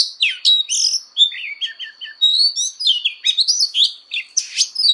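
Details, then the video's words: Oriental magpie-robin singing a fighting song for voice training: tumbling mix of clear whistled notes, descending chirps and scratchy trills, one long steady whistle held midway, delivered in quick bursts at high pitch, clean recording without background noise. "Choè than hót đấu/Choè than hót luyện giọng căng lửa/Choè than hót"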